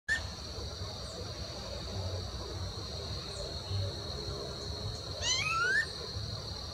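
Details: Rufous-bellied thrush call, commonly given in late afternoon, at Parque Vivencial 2, Lago Norte, Brasília, on 24.07.2021: one brief, sharp call with a quick bending pitch near the end, over a steady high insect drone and low rumble.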